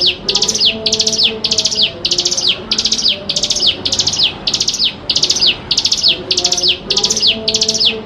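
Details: Javan prinia (mountain prinia) song used as a lure for young caged birds learning to sing: fast bursts of bright, downward-slurred high notes repeated in rhythmic chattering series, about a dozen bursts, with faint low background hum.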